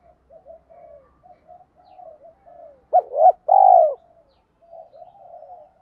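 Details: Spotted dove singing a kích bổi-style song: a loud burst of two short, hollow coos followed by one longer, drawn-out coo in the middle. Soft, low murmuring coos come before and after it.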